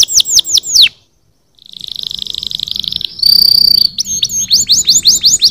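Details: Canaries singing to get other birds singing: quick falling chirps, a brief silence, a buzzy high roll, a pure sustained whistle, then loud repeated sweeping notes.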